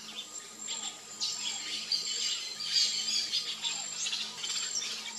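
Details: Variable oriole (Icterus pyrrhopterus), known locally as encontro, primavera or inhapim, singing a dense run of bright, high chirps and short slurred notes, with faint lower whistled slides beneath and a steady thin tone throughout.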